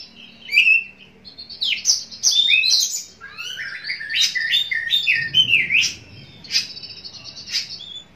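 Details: Oriental magpie-robin, a caged contest bird, singing as a lure before being hung for a competition: varied whistled phrases, sweeping slurs and sharp chips in irregular bursts.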